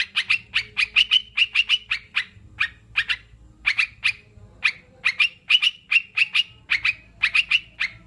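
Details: Rapid chirping from sooty-headed bulbuls, crisp short notes in quick runs with small pauses, over a faint low hum in the background.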